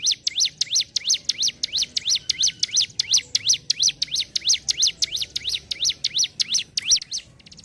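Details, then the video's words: Hill prinia, locally ciblek gunung, in ngentrok song: a long, fast, regular run of high, thin swooping chirps near three per second, trailing off at the end. "CIBLEK GUNUNG GACOR NGENTROK"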